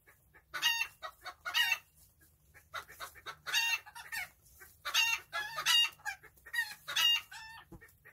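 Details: Chickens enjoying their day, described as tiny birds, repeating harsh, buzzy, harmonic squawks in bursts about every second, with softer clicks between.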